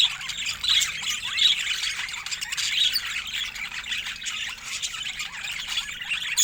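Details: Budgerigars in a busy group, giving dense overlapping chirps and squawky warbles in a constant high-pitched stream, with a few brighter whistled notes standing out.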